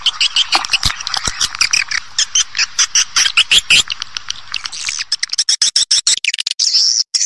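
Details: Older swiftlet farming lure sound. Rapid pulsed buzzy chirps are repeated many times per second and then break into clipped, stuttering bursts, ending in a thin, high, drawn-out twitter.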